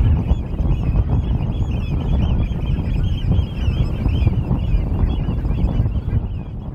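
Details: European golden plover (Pluvialis apricaria) flock at Norddorf, Amrum, 8 April 2022 at 16:50: soft overlapping whistled notes rising and falling continuously, over a strong low rumble of wind.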